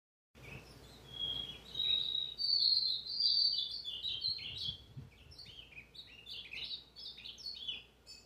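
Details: Azulão, a brown-plumaged bird kept by its owner, singing a long warbled phrase of rich whistled notes that rise and slide between syllables, growing louder midway then breaking into quick chirpy fragments; faint low background hum.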